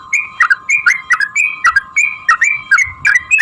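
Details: Yellow-vented bulbul in long fighting song meant to draw other bulbuls into singing; chattering, liquid double notes tumbling up and down, repeated about three per second.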